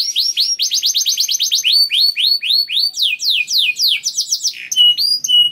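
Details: Canary singing as a lure for other canaries: varied bright whistled phrases, repeated downward sweeps about four per second, shifting into twittering and rising notes.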